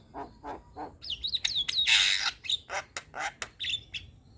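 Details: Young Javan myna singing energetically with many varied phrases: three harsh rasping notes, then wavering high whistles, a loud buzzy burst and a string of sharp clipped notes with brief whistles.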